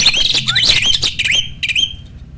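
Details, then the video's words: Asian pied starling, an adult caged male at peak breeding readiness, pours out loud raspy chatter laced with wavering whistles, then gives two short squeaky notes after a pause. "BURUNG JALAK GACOR MOMPA-MOMPA!!! JANTAN TULEN."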